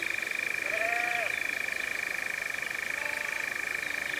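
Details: European Nightjar in Cefn Ddu forestry, North Wales, UK, the first recorded in 2026 using a Zoom F3 and Clippies in a drop rig. A monotonous, sustained churring trill continues steadily. A short, lower whistled note sounds early, and faint thin whistles sound later.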